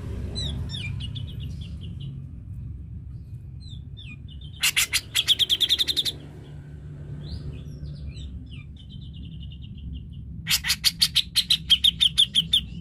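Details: Grey-cheeked bulbul lure song for stimulating a quiet bird. Soft scattered twittering notes lead into two loud, fast trains of repeated harsh chips, separated by lighter chirps, against a steady low rumble.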